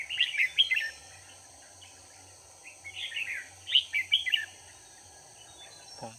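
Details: Decoy red-whiskered bulbul singing to lure wild birds during trapping on 4 March 2019: clusters of rapid, liquid chirped notes in short bursts with pauses between, a steady high-pitched ringing hum continuing throughout.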